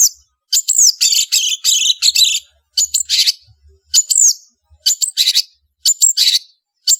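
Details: Lively song of a long-tailed shrike, the cendet or rufous-backed shrike: bright whistled downslurs alternate with dense scratchy, buzzy chatter in quick phrases, about one burst per second, with faint low thumps beneath.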